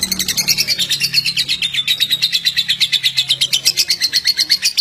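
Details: Pet lovebird song for stimulating other lovebirds, an energetic, continuous chatter of high, rasping chirps about three per second, pitch gently falling then lifting again, over a faint low drone.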